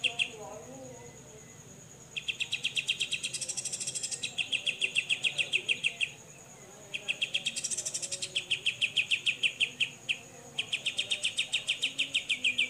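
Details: Grey-cheeked bulbul 'besetan' chatter used to tutor songbirds: long bursts of rapid, evenly spaced chip notes lasting several seconds each, separated by short pauses, with a thin continuous whine running throughout.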